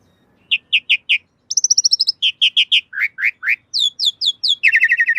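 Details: Asian pied starling (jalak suren) singing in a master recording used to train caged birds. The song is loud and clean, made of repeated whistled chirps in short runs, with fast high trills and rising notes, on a silent background.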